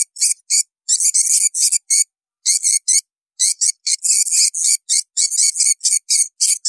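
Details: Swiftlets, for breeders of the bird: bursts of quick, shrill chirps in uneven clusters, broken by a couple of clear pauses, roughly four notes a second.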